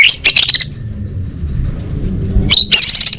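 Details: An orange-headed thrush in full isian style for competition training gives loud clustered high chirps and a thin whistle, breaks off briefly, then resumes with a shrill, sustained phrase; a faint low rumble fills the gap.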